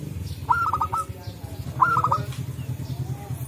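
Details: Local zebra dove calling back and forth in forest; two cooing phrases about a second and a half apart, each a high note dropping into a fast stepped roll, with low rhythmic hum beneath.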